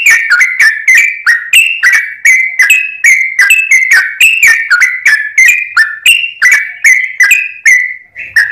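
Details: Sooty-headed bulbul song played as a lure: a steady string of short, liquid whistled notes, each sliding up or down, about three per second throughout.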